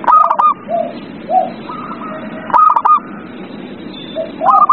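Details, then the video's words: Zebra dove song used as a lure to get a reluctant dove to sing: short stuttering notes in quick clusters, with lower soft cooing notes between them, over a steady low hum. "Pancingan perkutut paling ampuh | perkutut males bunyi"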